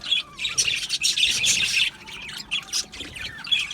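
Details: Aviary budgerigars chirping: bursts of loud, high squeaky chatter in rapid clusters, easing off briefly midway before picking up again with sharp twittering notes.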